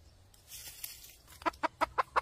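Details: Red junglefowl hen used for trapping: faint rustle, then five short clucking notes in quick succession, evenly spaced, growing louder toward the end.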